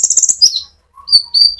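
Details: Konin sunbird, an actively singing bird with a rolling ngerol song, used as a lure to stimulate other sunbirds: a fast high buzzy chatter, then a sharp descending note and thin high whistles after a brief pause.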